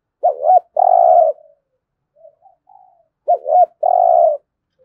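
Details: Spotted dove giving the 'thúc gù' coo, played daily to train decoy birds: two phrases about three seconds apart, each two short bouncing notes then a long steady hoarse coo, with faint soft notes between.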